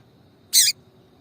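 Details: Calling female double-collared seedeater from Brazil, used by breeders to rouse a male: a single brief, sharp, high chirp lasting about a fifth of a second against a quiet background.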